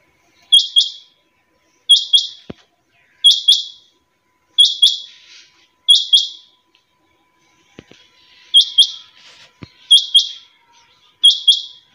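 A quail repeats a sharp, high, two- to three-part call roughly every second and a half, with a few faint clicks between calls.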